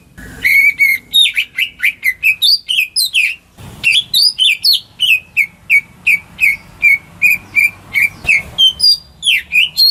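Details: Song of a household greater green leafbird, used to get stalled birds singing. It is an energetic, nearly continuous stream of sharp whistles and chirps shifting up and down, broken by one brief noisy pause.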